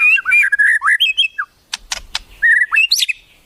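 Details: Captive white-rumped shama singing a varied song learned from wild birds: looping whistled phrases rising and falling, a burst of sharp broadband clicks midway, then clear sustained whistles climbing to a high note.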